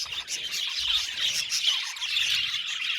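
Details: Flock of aviary budgies twittering constantly, a dense mix of high chirps, scratchy chatter and brief bright whistles with no breaks in the sound.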